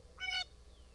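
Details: Blue jay giving one harsh, nasal call of under half a second, richly layered and raspy, over a faint steady low hum.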